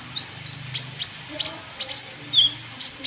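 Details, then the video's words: White-cheeked bulbul lure call used to draw in rival birds: short, high, sharp chirps and brief upward flicks, scattered irregularly with clear gaps, over a faint low background hum. "Suara Pikat Burung KONIN TROTOL , Ampuh Buat Pancing Lawan"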